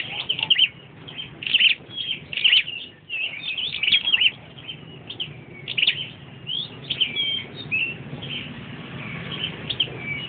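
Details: Flowerpecker sitting and singing, giving a long series of sharp, high ticking notes and brief twitters, grouped in bursts about a second apart, with occasional thin sliding whistles.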